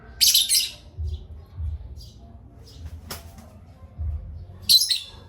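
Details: Parrots at playtime making raspy, broadband chirps, a pair at the start and one more near the end, with soft knocks and a low hum between them.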